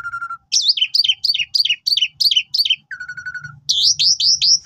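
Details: Asian pied starling (jalak suren) in full song, used as a master to train new birds: a steady whistled note, then rapid repeated downslurred chirps, another level whistle and a run of looping rising-falling phrases.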